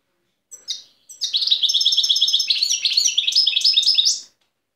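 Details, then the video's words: Wild European goldfinch from Tiaret, Algeria, recorded in 2015: after two short opening chirps, a fast run of bright, rapid twittering notes with tinkling, buzzy trills, rising slightly toward the end and lasting about three seconds. "تغريد بري لحسون تيارت"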